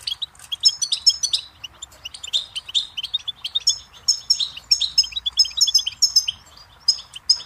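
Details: Lively goldfinch singing from a tutoring tape for young and caged songbirds: fast bursts of silvery twitters and buzzy notes, phrases repeated in quick succession with brief gaps, light hiss behind.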